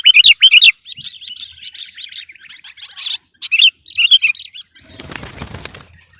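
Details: Sooty-headed bulbul singing persistently to dominate rivals: loud opening chirps lead into a steady, rippling warble of repeated short notes. Near the end, a rustling, flapping noise rises beneath the song.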